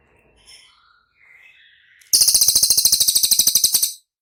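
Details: Training recording of cililin song meant to prompt caged birds to answer: a few quiet thin whistles lead into a loud, shrill, fast pulsing trill of around twenty crisp repeated notes, ending abruptly after nearly two seconds.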